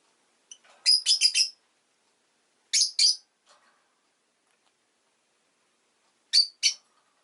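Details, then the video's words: Rapid runs of four or five harsh chirps from a pet rosy-faced lovebird, then pairs of similar notes, with pauses of a few seconds between bursts. "Lovebird Chirping Sounds"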